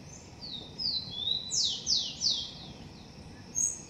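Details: At its nest in a garden, a Blond-crested woodpecker (Celeus flavescens) calls with a run of high, thin, sharply downslurred notes, about seven in four seconds, over a low steady background rumble.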